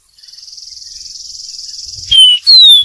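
A Dark-throated Seedeater sings a high, buzzy trill that builds over two seconds, then two clear, loud whistles that slide downward.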